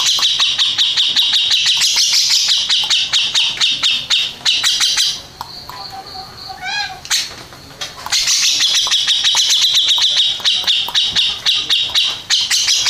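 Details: First-place champion grey-cheeked bulbul singing a rapid, rattling stream of high chips, about two per second, in long unbroken runs. A quieter gap in the middle holds a few descending tonal notes before the loud chatter resumes.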